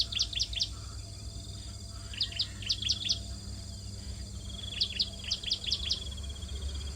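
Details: At the nest, hungry bar-winged prinia young beg while being fed: rapid runs of high, sharp chirps in groups of four or five, roughly every two seconds, over a low rumbling background.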